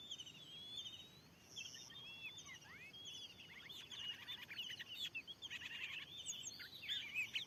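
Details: Oriental magpie-robin in a field beside a newly installed lure, with an aggressive wild bird present. Slurred whistles at first give way to rapid, scratchy chattering notes that grow louder toward the end.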